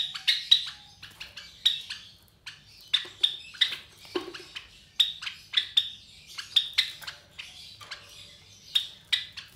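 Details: Captive Java sparrow chicks about 23 days old, three from a clutch of four laid by white Java sparrows; frequent sharp, scratchy chirps in uneven runs, loudest near the start.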